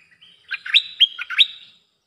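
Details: Bulbul song played as a lure for wild birds: a single clear phrase with a thin, drawn-out lead-in followed by four or five loud, rounded, gurgling whistled notes that swoop up and down.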